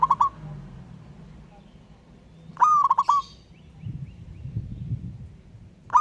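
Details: Zebra dove from the wild, local stock, calling a rival in ngayer fashion; repeated short bursts of rapid, stuttered coos separated by a few seconds, with a faint higher chirp and low rumble between.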